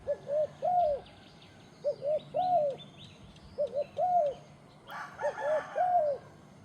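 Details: Repeated cooing of a turtle dove: four phrases of a short note and an arched, drawn-out coo, evenly spaced, over faint distant chirping and a brief clatter near the end.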